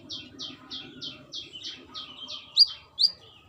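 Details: A calling female brown-throated sunbird, addressing the male, opens with a run of softer, slightly downslurred chirps, then two louder piercing chips at the end.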